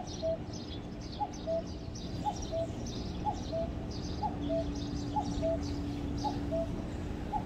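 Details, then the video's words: A cuckoo calling in the morning repeats its clear two-note 'cu-coo', the second note lower, about once a second, over a steady low hum and faint high chirping. "suara asli burung cuckoo seperti di jam dinding"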